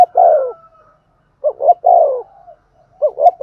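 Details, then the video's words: Spotted dove decoy giving Thúc Gù cooing to attract wild doves. Repeated mellow phrases of two short rising notes and a longer sliding coo, with brief soft murmurs between. "Tiếng chim cu gáy Thúc Gù bài bản rất sung và hay, bổi nghe nhanh về cội"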